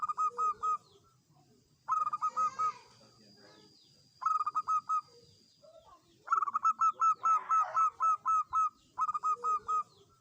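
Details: Zebra dove of a local strain singing readily, meant as a lure to get other doves calling; several bursts of fast staccato coos, some short and some long runs of a dozen notes, with a thin steady tone early on.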